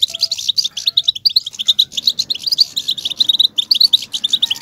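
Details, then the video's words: Rapid, high twittering song of a European goldfinch, meant to provoke males to sing: a steady run of sharp chirps and little buzzy trills with short breaks, dense and continuous to the end. "بتبتة الحسون صوت وصورة, بتبتة الاقوى لتحفيز الحسون بشكل مجنون"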